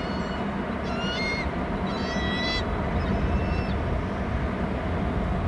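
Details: Nest-camera sound from Hornby Island of a bald eagle chick calling as the father arrives with food: a few fainter high whistled notes clustered early, then quiet, under strong low rumble.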